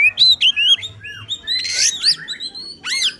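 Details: Oriental magpie-robin singing insistently, a song meant to provoke other magpie-robins: sweet whistled phrases and down-curving notes, a harsh buzzy burst, then sharp upswept chirps.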